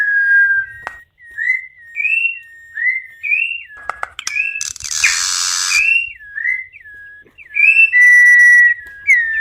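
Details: Campo troupial song for warming up and teaching captive youngsters and adults: a steady run of short whistled phrases, each rising then falling, repeated roughly twice a second, with a burst of hissing noise midway and a long pure held whistle near the end.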